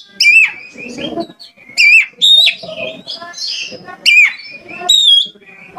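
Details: Caged oriental magpie-robin prompted to sing hard and open its beak, delivering bright whistled notes with sharp rising and falling slurs, repeated in loud bursts roughly every second, with murmuring lower sounds underneath.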